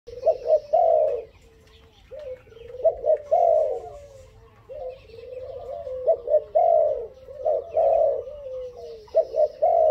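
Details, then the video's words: Young dove, five months old and described as very bold, gives low hollow coos in short stuttering phrases, each ending in a longer drawn-out note, repeated over and over through ten seconds, with faint high chirps behind. "កូនលលកទើបឡើងអាយុ 5ខែហ៊ានខ្លាំង"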